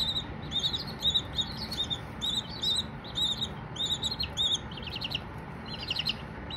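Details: Young Silkie chickens chirping without talking: high, clear peeps in repeated strings, a few doubled notes and short trills, set against a low constant hum.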